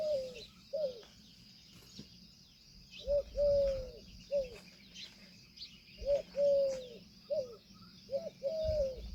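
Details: A peahen (female Indian peafowl) gives short, arched, nasal notes, often in pairs, repeated every second or two over a steady high insect drone.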